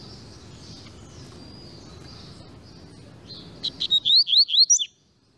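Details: Double-collared seedeater song: following soft distant high whistles, a bright phrase of two short notes then quick rising slurred whistles, ending abruptly in silence.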